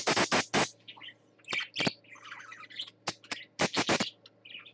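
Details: Caged parakeet playing on swings at a nesting setup: loud sharp clacks and knocks come in bursts, with soft high chirps and chattering twitters between them over a low electrical hum.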